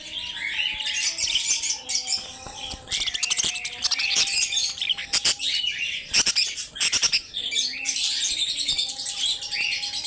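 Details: Caged budgerigars kept for sale in Lahore, Pakistan, make a dense, busy chorus of scratchy, warbling chatter and squeaky notes, with steady low tonal hums running underneath and occasional sharp clicks.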